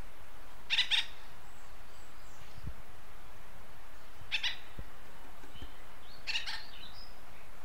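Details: Acorn woodpecker of western North America: three separate rasping calls, each a brief harsh burst, widely spaced about two to three seconds apart against faint steady hiss.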